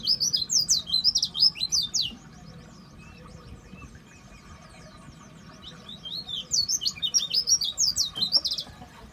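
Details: Seven-year-old dakbal-type white-eye (pleci) singing: bursts of high, sharp chirps and twittering notes in quick succession, pausing for a few seconds midway before resuming a lively run of squeaky notes.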